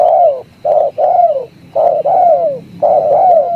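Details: Spotted dove, called tekukur, in the song style known as tarik akar: loud, close coos in three repeated phrases, each a short note followed by a longer, downward-sliding coo, roughly every 1.2 seconds against a quiet background.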